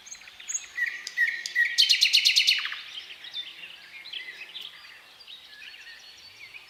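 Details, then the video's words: Thrush nightingale in powerful, varied song with unhurried strophes separated by pauses. Assorted whistles build into a loud, rapid rattle lasting under a second, then quieter trailing chirps. "Соловей поёт"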